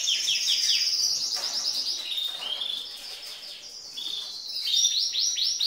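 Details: Female canary singing like a cock bird, said to arouse males: rapid slurred notes, a high sustained trill, quieter buzzy passage, then renewed quick sweeping notes.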